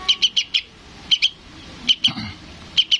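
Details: {'caption': 'Young sooty-headed bulbul calling to its parent. Scattered short, sharp chips: a quick run of four, then pairs spaced by brief gaps.'}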